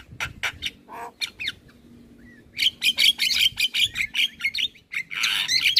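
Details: Male Black-winged starling singing a full varied song meant for training young starlings: rapid harsh clicks and chattering bursts, a brief slurred whistle, then a dense run of scratchy repeated notes about two to three per second.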